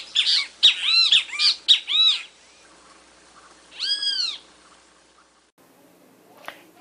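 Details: A Great Kiskadee (bem-te-vi), in a compilation of Brazilian bird songs, gives a quick burst of harsh, ringing, arched notes, then after a pause one longer drawn-out note; nothing else stands out.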